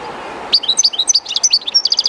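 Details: European goldfinch kept by its owner, singing near the running water of the Jerte River: after a brief hush, a lively stream of high, varied tinkling twitters ending in rapid repeated chirps, river murmur in the background.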